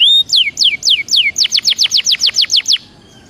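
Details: Short burst of Belgian canary song: a sustained whistle, a few slurred falling notes, then about ten quick evenly spaced descending sweeps before it stops.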